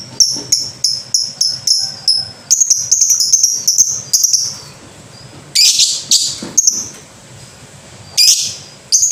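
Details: Lovebird with a fast series of bright, high chips that runs into a continuous rattling chatter, broken later by two loud, harsh screeches.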